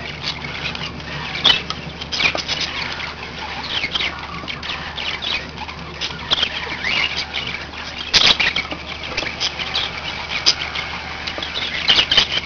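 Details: A group of pet budgerigars keeps up busy, raspy chatter, mixing short squawks and chirps with a few sharp clicks near the second and eighth seconds, and a faint low hum beneath.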